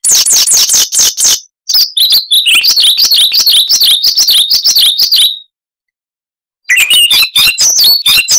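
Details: Noise-reduced recording of a Siberian rubythroat (Luscinia calliope) in varied chattering song: a dense, rapid rattle of high notes, then a long wavering warble of slurred whistles, a silent pause, and another burst of quick chatter.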